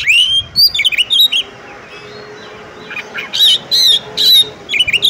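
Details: Female Oriental magpie-robin calling a male so he starts singing: looping whistled notes and chirps, a two-second lull, then harsh buzzy bursts mixed with twisting whistles.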